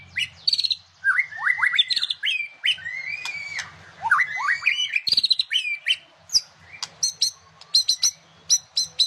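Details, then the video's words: White-rumped shama in full song: fast varied whistled phrases with sharp upslurs and downslurs, mixed with rapid clicking chatter and high ticking notes repeated in quick groups near the end. "Murai gacooor"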